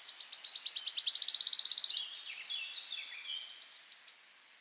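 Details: Wood Warbler singing: high ticking notes speed up into a bright, shivering trill that ends abruptly after two seconds, followed by softer, more distant trill notes.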